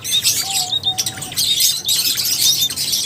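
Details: A flock of lovebirds twittering in bursts of sharp, high squeaks and chips, broken by brief pauses, with a thin steady whistle running beneath.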